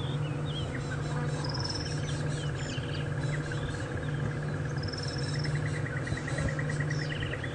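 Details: Crested barbet in the background at sunrise on a November 15, 2014 morning safari drive near lions on a buffalo kill; long, even, rapid "chee chee" trill running into a quicker pulsed burst, other birds whistling, deep engine rumble.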